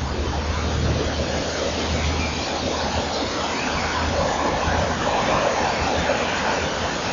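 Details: Loud, constant broadband hiss with a low hum and no distinct animal call.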